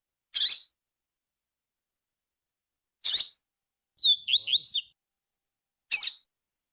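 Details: Double-collared seedeater: sharp, high chip notes about every three seconds, described as a female's calls, with one brief warbled phrase of quick rising and falling whistles ("tui-tui" song) between them.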